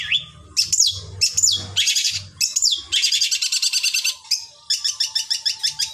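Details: Varied long-tailed shrike song used to make other shrikes sing. Falling slurred whistles and harsh buzzy bursts lead into fast, rattling, regularly pulsed phrases, with low thumping hum at the start.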